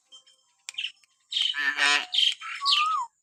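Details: Common hill myna, in natural calling used to provoke pet mynas into sound: a run of harsh, buzzy squawks and grating notes, ending with one clear whistle that slides down.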